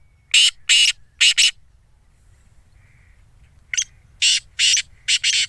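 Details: Black francolin of the Sindhi type, kept for sale and described as calling all day. It gives a grating, scratchy phrase of three or four harsh notes, pauses, then repeats the phrase with five clipped rasps.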